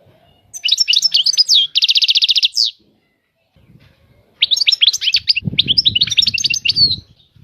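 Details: European goldfinch batbata song with twittering liquid notes and a dense, even buzzy trill. After a silent break comes a second run of tumbling chirps with low rumbling noise beneath.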